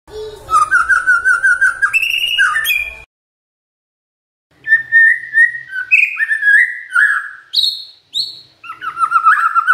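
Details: Magpie-robin singing to provoke rivals into responding, a rich run of rapid warbled and slurred whistles with buzzy overtones, then silence, then renewed phrases of clear whistles rising and dropping in pitch.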